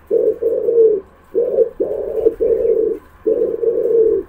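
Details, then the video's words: Close, loud pigeon cooing: six low, throaty coo phrases in quick succession, each about half a second long, separated by brief pauses, with a low hum underneath. "pigeon sound"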